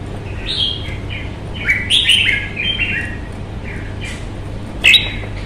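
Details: Red-whiskered bulbul in fighting display, singing a run of quick whistled and warbled notes in the first half, then quiet, then one sharp closing phrase, with a constant low hum behind.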